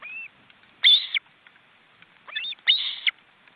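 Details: Ospreys at a tight nest in an Estonian forest reserve, two adults with wing-flapping chicks, on a live camera. A short rising whistle and two loud, shrill squealing calls, each about a third of a second long.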